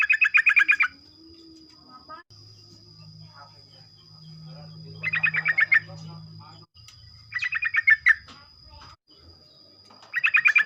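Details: Sooty-headed bulbul singing in the morning, a rapid 'ropel' song used to spur other bulbuls to sing: short bursts of fast, rattling chattered notes, about four seconds apart, with a steady high electronic whine and faint low rumble between.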